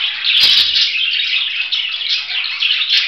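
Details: Continuous budgerigar warble, a busy run of bright, rasping chirps without pause; a brief knock sounds near the half-second mark.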